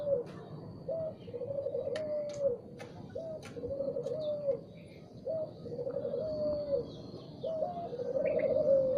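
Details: Spotted dove song in the morning, four phrases each of a brief rising note and a rolling falling coo, about every two seconds, with clicks and faint chirps of other birds.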